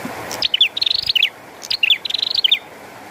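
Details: Lively bar-winged prinia song with rain: two rapid phrases of sharp descending notes and a chattering high trill, close together, rain hiss underneath.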